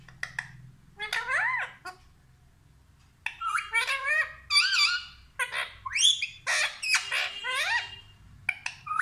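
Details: Talking pet parrot in a home, producing bursts of varied squawks, whistled warbling notes and harsh screeches in clusters after a quiet pause, with a person's voice and soft music around it.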